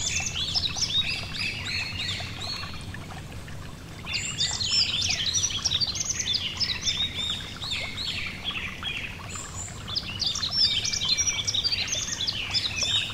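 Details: Bouts of bright, high-pitched twittering from a yellow-throated bunting beside a gentle stream, quick chirps and slurred whistles repeated in three long bursts separated by short lulls, over constant running water.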